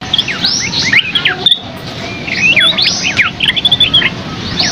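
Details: Scaly-crowned babbler singing a lively, full masteran-style song: rapid clusters of sharp, sweeping whistled notes, rising and falling, delivered in bursts with short pauses between phrases.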